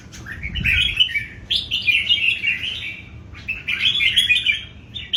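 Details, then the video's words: Loud dueling song from three old wild-caught Red-whiskered Bulbuls: three rich warbled phrases, each about a second long, with sliding whistled notes and short pauses between. "3 CHÀO MÀO BỔI GIÀ ĐẤU HÓT"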